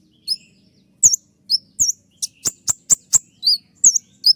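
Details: A kolibri ninja, the olive-backed sunbird, gives shrill, curling high whistles mixed with sharp clicks in an uneven series of about a dozen notes. A faint low hum runs underneath.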